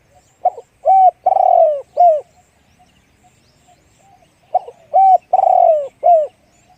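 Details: Two full 'one-kook big voice' phrases from a spotted dove, about four seconds apart. Each has brief stutter notes, a hollow coo, a long falling drawn-out coo and a short final coo, with a quiet background.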